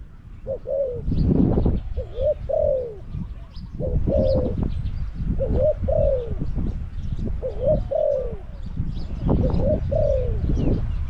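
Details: Spotted dove kept as a caged decoy, luring wild doves at Song Phi Nong. Rhythmic coo phrases repeat roughly every two seconds, each a quick note leading into a longer falling coo. Bursts of rustling noise sound between them.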